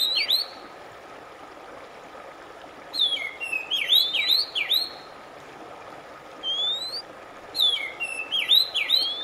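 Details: Oriental magpie-robin song, played to relax a stressed bird that has stopped singing: clear whistled slurs rising and dipping between mid and high pitch, in bursts of several notes separated by silent gaps, over a faint steady hum.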